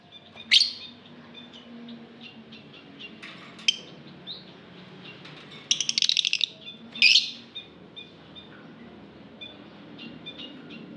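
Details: Aviary lovebird chirping: sharp shrill squeaks, a rapid burst of rattling chatter midway, then another piercing shriek, with soft high twittering between calls.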